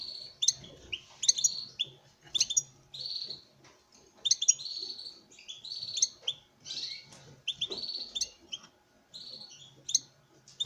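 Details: Courting male European goldfinch singing before a female in a breeding setup, delivering a long lively string of tinkling chips and buzzy trills in regular bursts.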